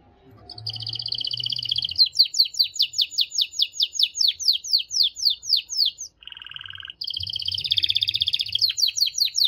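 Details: Canary song in fast, continuous tours: a buzzy trill, then a long run of sharp repeated chips about four per second, a brief lower rattling phrase, and another dense buzzing trill. Faint low rumble underneath.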